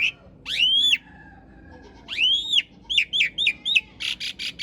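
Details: Asian pied starling song used for training cage birds, coarse filler: loud arched whistles, a run of four quick slurred notes, then harsh rasping bursts.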